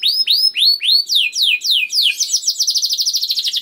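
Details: Young canary (kenari paud) singing to stimulate other canaries to sing: loud high phrases, first slow rising-falling whistled arcs, then quicker downslurred notes, ending in a fast rapid trill.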